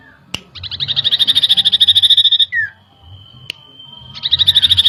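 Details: Common iora lure song to provoke excitement: a fast chattering trill of piercing notes for two seconds, a brief down-slurred whistle, a faint sustained tone, then the trill starts again.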